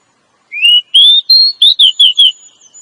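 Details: To stimulate a male, a female Oriental magpie-robin delivers a phrase of whistles that rise stepwise, then several quick down-slurred notes, tailing off softly, with no other sounds.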